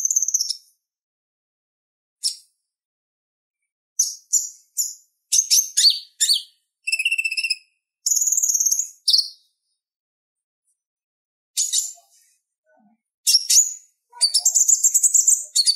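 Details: Tutor song of the purple-throated sunbird for kolibri ninja: scattered sharp high chips and short twittering bursts, a brief buzzy trill, longer stretches of silence between phrases, and a rapid chattering run at the end.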